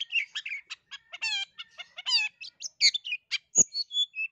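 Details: Long-tailed shrike song offered as a prompt for a lazy singer: mixed twittering with drawn-out harmonic whistled notes, thin high whistles and sharp clicks.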